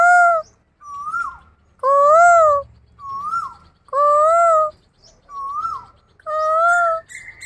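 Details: Asian koel being teased, giving loud, clear, arching two-note calls that alternate with softer rising whistles, about one exchange every second and a half, with faint background rustle.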